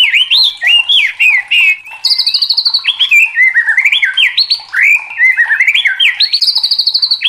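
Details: White-rumped shama singing hard and excitedly. Rich whistled notes bend and rise, broken by a fast, buzzy rattling trill near the middle, then more looping whistled phrases. Nothing else is audible.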